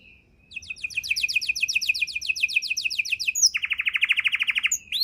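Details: Canary fill-in song for tutoring songbirds, starting quietly, then a long, regular high trill of rapid repeated notes, switching abruptly to a lower, louder buzzy roll of pulses before ending.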